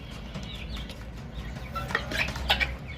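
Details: Baby chicks giving a few scattered high peeps amid clattering and tapping noises, the calls sparser than the knocks, with a low rumble throughout.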